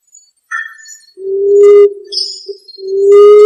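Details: Common emerald dove call for bird luring: a brief higher chirp, then two long sustained low hoots separated by a short soft note.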